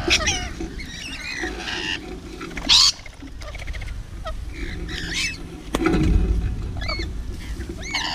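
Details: Feeding rainbow lorikeet with a mix of harsh screeches, rising and falling squeals and chatter, plus one sharp loud burst near the middle; constant low-frequency background noise throughout.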